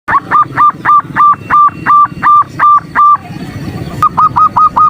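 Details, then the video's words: Female zebra dove calling to the male, a morning lure to rouse males: nasal, evenly pitched notes repeated about three per second, a brief pause, then a faster run resumes, with low background rumble. "Terapi pagi PERKUTUT ‼️ Sekali BUNYI yang malas BUNYI jadi BUNYI."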